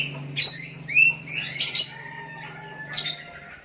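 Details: Sooty-headed bulbul calling to a decoy rival, others joining in: a pair of curved whistled notes, one rising and one falling, between loud bursts of clicks and chirps, with a low hum beneath.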